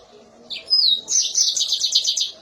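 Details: Mozambique canary giving a piercing song phrase: a brief rising note and a long falling whistle, then a quick string of roughly eight sharp high trilled notes; faint hum below.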